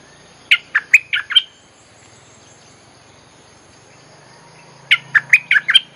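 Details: Lure recording of a bulbul singing to draw in wild birds: a rapid phrase of five bright, bubbling chirps, a four-second pause over quiet background hiss, then a similar phrase of six chirps.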